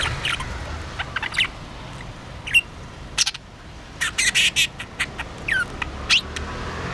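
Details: Caged pet budgerigar busy with a homemade toy: scattered short chirps and a few rising squeaky notes, interleaved with sharp clicks and rattles from the toy.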